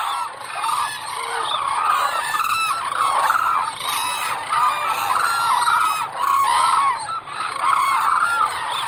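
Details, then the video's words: Cranes calling as a flock, giving a dense, unbroken chorus of overlapping rolling trumpet calls that stays loud throughout. "Голоса птиц как поёт Журавль (Grus)"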